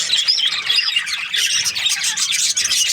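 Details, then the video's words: Budgerigar breeding pairs, an Australian parrot, produce a steady stream of shrill, overlapping chirps and warbling twitters from many birds, loud and unbroken throughout. "Budgies parrot chirping sounds | Australian parrot breeding pairs"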